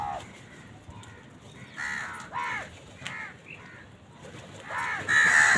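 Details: House crows fighting with wild birds for food give harsh, nasal caws, several in quick succession with short gaps, rising slightly and falling, over a faint background hiss.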